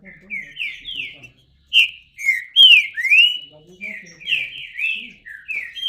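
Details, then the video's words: Green-winged saltator song: clear whistled notes slurring up and down, with one strong sweeping phrase in the middle and quicker chirpy notes after it. "Trinca Ferro (cantando)"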